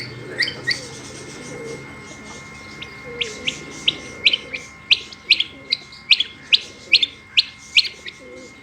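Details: Female rain quail, the batair, calling: a fast series of crisp, high, clicking upswept notes, about two or three per second, building in loudness over a soft hum and a faint constant tone.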